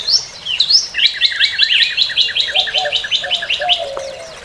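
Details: Northern cardinal repeating quick whistled two-part notes in a long, even series after a few sweeping opening notes. Low, drawn-out whistles from another bird sit underneath in the second half.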